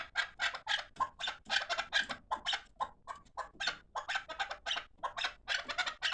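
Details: Fighting partridges utter harsh, uneven chuk notes in irregular bursts, some doubled, quieter and more ragged than a steady series.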